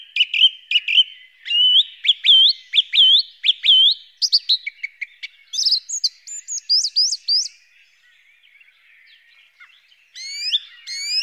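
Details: Song thrush singing: clear whistled notes and sharp upward-hooked phrases, each repeated several times in quick succession, then a brief pause before a new high repeated phrase begins.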